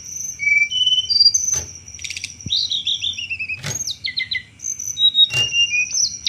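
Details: Sunda robin singing its chattering lure song for thrushes: short high whistled notes, a quick cascading series of descending slurs, and separate sharp clicks spaced a few seconds apart.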